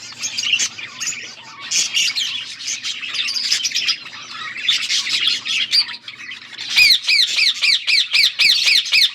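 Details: Budgerigars chirping, recorded August 14, 2024: scratchy warbling chatter, then a run of clear repeated rising-falling chirps about four per second toward the end.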